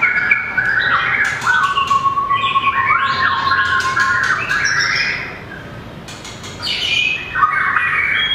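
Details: White-rumped shama in competition song, flicking its tail and moving along the perch: rich clear whistles sliding up and down, with a long level whistled note and quick varied phrases in between.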